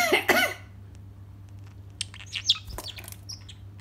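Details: Pet parrotlet Ozzie, which talks and mimics, gives a loud, raspy fake cough, then a few faint, high chirps and squeaks over a steady low hum.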